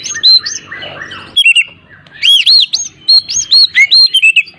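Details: Oriental magpie-robin singing, played to make an unwilling bird start singing: varied whistled phrases, arching up-and-down notes repeated in a rapid series, mixed with soft scratchy chatter near the start.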